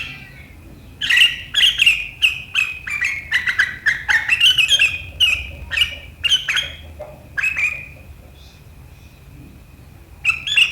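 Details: Kutilang, the sooty-headed bulbul, in sharp riwikan chatter on 7 April 2023: after a quiet second, rapid shrill twitters pour out for six seconds, trail into a thin drawn note, then restart.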